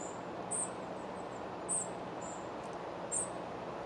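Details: Spotted flycatcher at the nest outside Moscow in July, feeding young; short, very high thin squeaks about every one and a quarter seconds, with faint fainter notes between, against broadband hiss.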